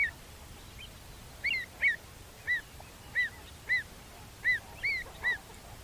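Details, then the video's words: Pied avocet calling in a field recording: a steady series of short, clear, arched 'kluit' piping notes, roughly two per second after a pause, fairly even in pitch, over faint background hiss. "Avocet - Bird Song Identifier"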